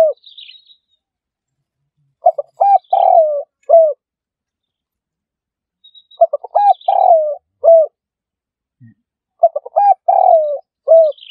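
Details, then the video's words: Spotted dove call played as a trapping lure: a phrase of several soft cooing notes, the longest in the middle, repeated about every four seconds in an otherwise quiet recording. "Dove Audio Trap"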